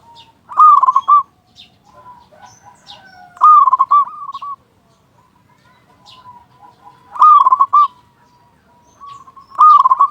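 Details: Zebra dove song used as a lure to make other doves sing: loud bubbling coo bursts repeated about every three seconds, linked by quieter level cooing notes and occasional thin high chirps.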